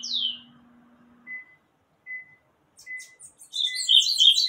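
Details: Bananaquit giving a single high downslurred note, then a few short, thin, spaced chips, ending in a loud burst of rapid, buzzy, high-pitched song notes.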